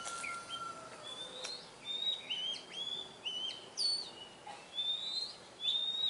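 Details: Oriental magpie-robin singing outdoors in the wild: a lively run of high, sharp whistles, many rising or hooked, delivered in bursts roughly every half second, following a brief lower whistle.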